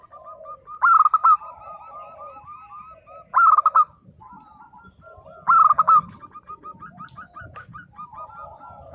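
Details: Local zebra dove in vigorous voice, in a song style that provokes silent local birds to answer. Three loud, fluttering coo bursts come a few seconds apart over steady softer cooing from neighbouring doves and a low background rumble.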